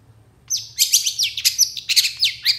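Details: Long-tailed shrike song aimed at provoking other shrikes to sing: a fast, high scratchy warble of squeaks and downslurred notes.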